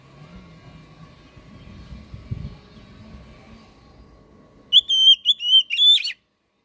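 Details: Oriental magpie-robin (kacer) master song used as a lure to get a non-singing pet bird going. Quiet room rumble and a faint hum for several seconds, then five bright, sustained whistled notes in a quick series.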